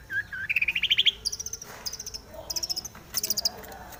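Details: Aggressive Long-tailed shrike singing as a lure to stir up rival shrikes: a quick series of notes climbing steadily in pitch, followed by clusters of sharp, high, rasping chips.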